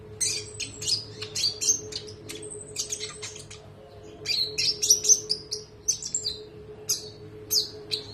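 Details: Spotted konin singing actively, recorded as a tutor recording for training other songbirds: bursts of high, sharp chirps and thin whistled notes in dense clusters, with a brief pause in the middle and a steady low electrical hum throughout.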